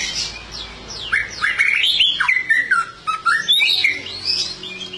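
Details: White-rumped shama (murai batu) singing energetically (gacor): fast, varied whistled notes sweeping up and down, mixed with short sharp chips, delivered in a continuous flowing phrase.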